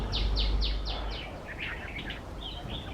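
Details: Red-vented bulbul singing from a bed of wildflowers on a birding trip: a quick run of five sharp descending notes, then varied bubbly, chattering phrases, over steady low background rumble.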